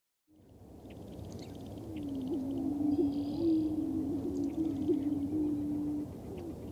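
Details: Male greater prairie chickens displaying on a lek in western Minnesota on April 11, 2024, with a sharp-tailed grouse present. Low, hollow, droning hoots overlap into a steady, wavering hum that swells after a quiet start, with faint high chatter above.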